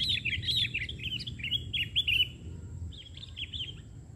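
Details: A sooty-headed bulbul sings on the ground while being lured by trappers, instead of from a branch. It gives a lively run of clear, slurred chirps, then a short gap and a few more bright notes.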